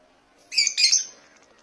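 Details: African lovebirds in a Kerala aviary give two harsh, shrill screeching notes in quick succession, the second longer and buzzier, over a quiet background.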